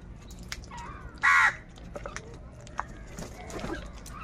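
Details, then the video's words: Crows contesting food; one short, loud, grating caw stands out, followed by faint distant calls and scattered clicks over a quiet background. "Crow bird Fight for Food | Crow birds loudly Crowing sounds"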